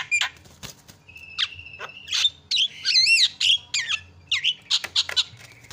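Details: Lure recording of a Javan myna used to set other birds calling: scattered harsh squawks and clicks, a flat sustained whistle, then wavering, rising-and-falling whistled notes among rapid scratchy chatters.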